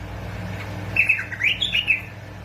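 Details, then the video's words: Bulbul from Basra and Fao, Iraq, played to encourage bulbuls to sing: a lively run of clear, fluting notes lasting about a second and a half, rising and dipping over a constant low background hum. "مقطع تحفيز طيور البلابل على التغريد"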